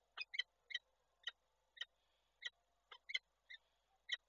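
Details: Female peregrine falcon calling from a nest webcam in Koszalin, Poland, on 28 January 2024 while the male visits: harsh, rasping kek notes, often in quick pairs, about thirteen in four seconds over a quiet background.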